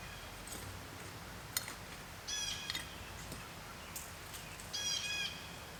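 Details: A Blue Jay gives two harsh, raspy calls about two seconds apart, with a few faint chips between them, over a steady outdoor hiss in a garden in the Appalachian Mountains; a distant American Robin is also heard.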